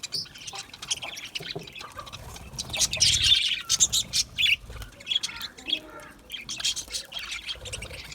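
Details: Budgerigar chirping sounds: rapid, uneven high twitters and squeaky chirps pour out in a lively stream, loudest in the middle, with brief pauses between bursts.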